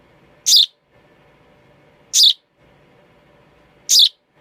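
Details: Three loud, scratchy high chirps from a young sparrow, evenly spaced about every one and a half to two seconds, with low steady background noise.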